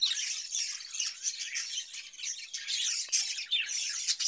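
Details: Caged budgerigars, fed cucumber in summer, give an unbroken stream of buzzy, grating warbles and thin high chirps, several voices blending into one dense chatter.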